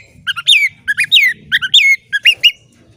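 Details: Oriental magpie-robin, a kept bird, repeating a short phrase about four times: a low note, then a loud whistle sweeping downward, delivered roughly every half second over faint low hum.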